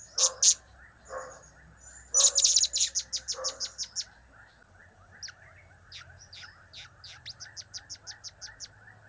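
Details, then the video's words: Blue-crowned hanging parrot in chatty form, a mix of cap, kiak and crap calls. Two loud shrill bursts, then a fast run of thin high ticks that fades into quieter, rapidly repeated clicks, with soft lower chirps underneath. "Trio Cap²/Kiak²/Crap² Semakin Gacor"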